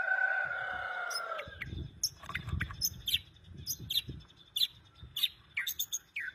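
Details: Vigorous white-rumped shama song meant to coax other shamas into singing: opens with a steady two-toned tone, then a run of crisp, high, clipped notes spaced about half a second apart over low background rumble.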